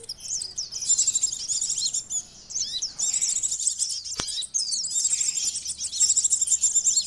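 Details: Common iora calling as a lure: bursts of shrill, fast twittering and chipping notes in long runs separated by short gaps, one sharp click midway.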